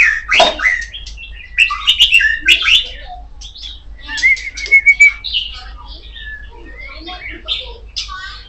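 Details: .Kacer poci magpie-robin singing loudly: a busy run of chirps, squawky notes and short whistles, mostly high, with a clear rising whistled phrase near the middle and a steady low hum underneath.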